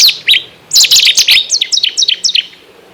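Cetti's Warbler gives an abrupt, explosive burst of loud, high notes, then a rapid run of about eight sharp, ringing chips, each dropping slightly in pitch.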